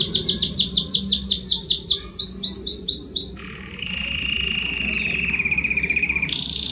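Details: Loud Belgian canary song meant to warm up a listening canary: quick rolling series of high, swooping repeated notes, a short pause, then a lower sustained rattling trill ending on a sharp rise.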